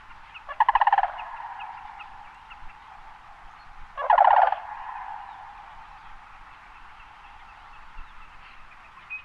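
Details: A rattling, trumpeted crane call rings out twice, roughly four seconds apart, from sandhill cranes in a marshy meadow at Red River Wildlife Management Area, central Idaho, with quiet hissing background between bursts.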